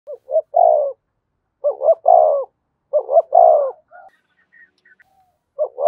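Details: Spotted dove decoy cooing used to stir a newly caught bird into calling: three mellow low phrases, each two short notes then a longer rolling coo, about two seconds apart, with quiet gaps between.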